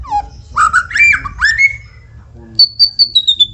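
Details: White-rumped shama song played to encourage other shamas to sing: a falling whistle, a few slurred rising phrases, a pause, then a row of high clear piping notes repeated evenly.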